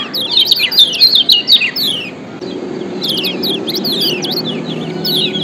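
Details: White-eye (kecial kuning) from Lombok singing as a lure to rouse lazy birds: bursts of fast, sharp, high chirps and slurred notes, pausing briefly mid-clip before a second twittering burst, with a low hum beneath.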